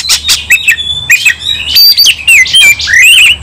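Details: Kacer, the White-rumped shama, singing during a fight: quick chirps and sharp clicks lead into warbled whistles that rise and fall, dense and loud.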